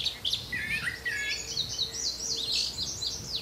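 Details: Wild brown thrasher in Canada pouring out a dense, continuous jumble of varied high chirps and slurred notes with scarcely any gaps, against a background hiss.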